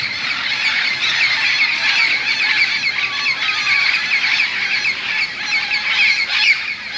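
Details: A noisy evening roost of many parrots in huge bamboo next to a golf course in Moka, Trinidad, preparing for the night: an unbroken wall of raspy squawks from countless birds calling at once.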